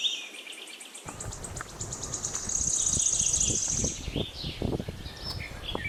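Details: Birds chirp with a steady, high, rapidly pulsed trill and scattered whistles, while low thuds and rustling knocks sound through most of the passage.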